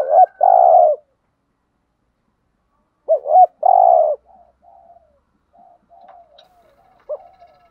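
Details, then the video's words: Decoy spotted dove calling in the thúc gù style to lure wild doves: a quick doubled note, then a long sustained coo, repeated about three seconds later. Faint, softer coos trail off afterward. "Tiếng chim cu gáy kích bổi nhanh nổi rất nhanh nổi/ chim cu gáy mồi chai thúc gù bài bản giọng hay"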